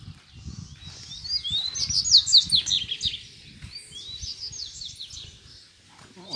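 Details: Double-collared seedeater (coleiro) challenging free rivals to fight while a female is placed nearby; two fast phrases of high slurred whistles and buzzy trills, with low rustling underneath.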